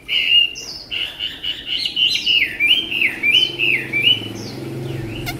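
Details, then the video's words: Tame Chinese hwamei with a beautiful voice: continuous looping whistled song, notes sliding up and down in quick wavy phrases, with a few clicks near the end. "họa mi ccdv1121 thuần đẹp giọng hay quá"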